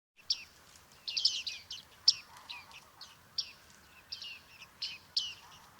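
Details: Bearded reedling calling at Liepāja, Latvia, July 2023: repeated short, high, ringing call notes, some doubled or bunched together, arriving at irregular intervals against faint background noise.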